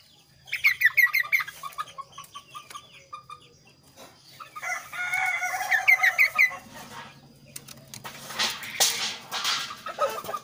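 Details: Kaso-kaso bird in full, varied song: rapid series of sharp, high chirps in two bursts, with brief twittering between, then loud broadband rustling noise toward the end and a low hum throughout.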